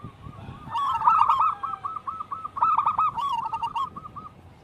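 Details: Lively local wild-type zebra dove singing: two bursts of rapid, soft cooing notes strung into a bubbling series, with a faint rustling background.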